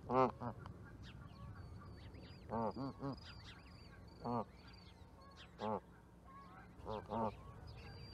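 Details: Canada goose honking in short pairs and singles at irregular intervals, set against busy twittering of small birds.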